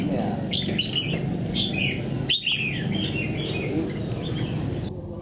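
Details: Red-whiskered bulbul, a wild-caught bird kept caged for ten days, described as long-bodied and bold; short whistled, warbling phrases rising and falling, given in quick bursts with pauses, over steady low background hum.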